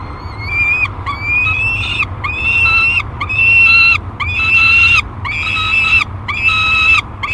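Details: Thirty-day-old peregrine falcon nestling calling in a nest box at Great Spirit Bluff on 1 July 2021, while wing-exercising: long harsh, wailing cries repeated about once a second, with a low steady hum beneath.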